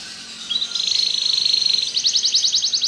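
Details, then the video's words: Belgian canary song opening with a rising high tone that breaks into a fast, evenly pulsed trill, then shifts to crisp separate chirps at about six per second. "Canário Belga cantando"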